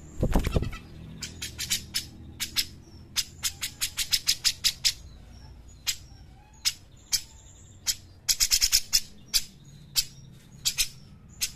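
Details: Brown-cheeked bulbul, played as a training recording for other songbirds: dry, sharp clicking notes given singly and in quick bursts, with gaps of varying length and a low background hum.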